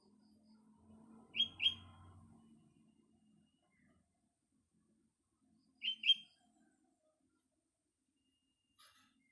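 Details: Sooty-headed bulbul in the morning among greenery, giving soft paired chirps twice, several seconds apart, with a faint low drone early on and a weak trailing note near the end.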